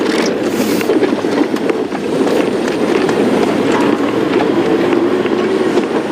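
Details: Loud, continuous rumbling vehicle noise with rattling clatter, like a moving car or train, and no animal sound.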